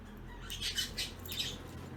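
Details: Indoor budgerigars, blue opaline violet, yellow lutino and green opaline birds, at play with a chain; a cluster of quick, high twittering chirps over a low room hum.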